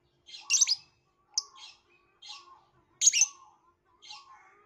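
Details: Violet lovebird giving five spaced shrill chirps, each with softer lower twittering notes trailing after it.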